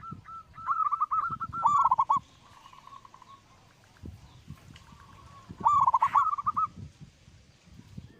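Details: Local zebra dove singing, recorded for use as a lure to draw song from other birds; two phrases of fast clipped coos ending in a deep rolling trill, separated by a soft lull, with low thumping noises in the background.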